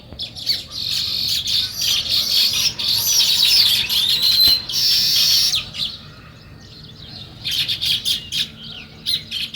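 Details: Sparrows chirp together in the morning, a busy high-pitched chatter swelling through the first half, then a quieter gap before scattered chirps return.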